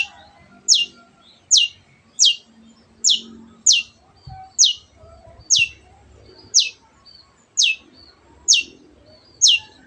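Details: Cendet, a shrike used as a masteran bird to get others singing: a steady series of brief, high, downward-sweeping chips, about one each second, over a soft background murmur.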